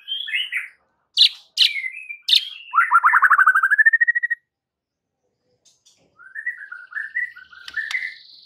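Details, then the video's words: Song of a white-rumped shama used to provoke rivals, with sharp clicks, a fast descending rattling trill, then a soft chattering run of quick warbled notes. "PANCINGAN Murai Batu yang bikin lawan Langsung NGAMUK & EMOSI TINGGI seketika"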